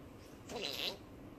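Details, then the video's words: Pet rainbow lorikeet, two years old, talking and saying hello: a single brief, harsh, breathy utterance lasting under half a second, bright and high-pitched, in a quiet indoor room. "彩虹吸蜜CCの說話篇(2歲講哈囉) Rainbow Lory CC Speaking"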